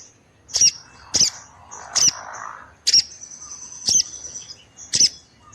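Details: Female orange-headed thrush calling, a call said to make males respond at once and come into breeding condition: sharp, high chipping notes about once a second, with thin, steady high whistles between them and a soft rustle.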